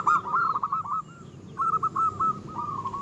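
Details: Vigorous local zebra dove song, said to stir up rivals: two rapid phrases of stuttered coos, the second slightly more spaced and ending in a drawn-out, wavering note, over light background noise.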